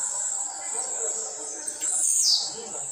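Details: A Blue-black grassquit training at home gives one quick, bright, downward-sliding buzzy note late in the clip, set against a constant high-pitched hiss.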